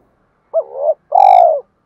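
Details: A spotted dove's provoking call aimed at rival doves: a wavering coo that swells again at its end, followed after a short gap by a strong buzzy purr with rich overtones.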